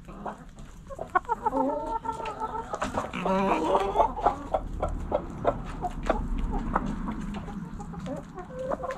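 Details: Backyard chickens relaxing in a coop, hens clucking: a steady run of short harmonic clucks and a few drawn-out calls, several birds overlapping, with low background rumble.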